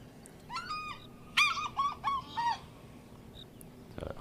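African Fish Eagle giving a ringing series of about five loud, yelping notes over two seconds, the first drawn out and the rest quicker and falling.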